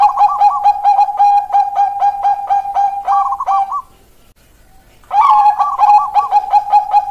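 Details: Song of a Bangkok-style zebra dove, used to coax lazy doves into singing: a dense string of quick clipped coos, about a second of silence, then the rapid 'keok kok kok' series resumes strongly.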